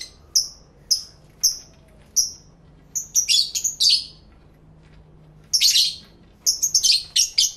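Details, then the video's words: Lovebirds, recently acquired and kept as pets, singing and talking to each other, recorded live in stereo with two external microphones: sharp high chirps repeated about every half second, then dense bursts of overlapping shrill chatter. "1 Hour Lovebird Sounds High Quality Stereo Live Recording V3"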